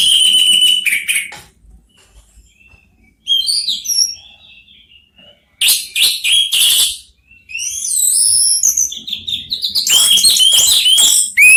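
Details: Three Orange-headed thrushes trading phrases. Loud bursts of varied whistles and shrill chatter alternate with quieter, thin, warbled notes and brief silences, ending in an intense, crowded outburst.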